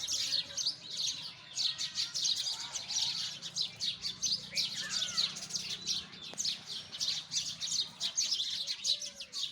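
Sparrows chirp nonstop in a busy chorus, with bright, rapid, overlapping notes from many birds and no pause throughout.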